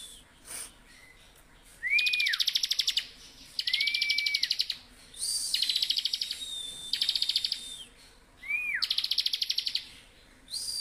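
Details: Bar-winged prinia in vigorous, continuous 'ngebren' song: about five phrases in eleven seconds. Most phrases are a curved whistle followed by a harsh buzzing trill. Some are high pulsed trills laid over a long, thin whistle.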